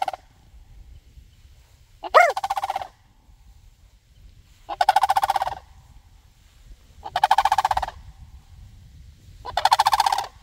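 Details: Sandhill cranes calling back to a person, four rolling, rattled calls of about a second each, spaced every two to three seconds. The second call opens with a rising-falling tone.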